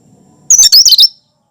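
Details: Single loud, harsh, chattering burst of about half a second from a cucak kinoi in full song, its natural voice without mimicry, used to prompt and lure other birds.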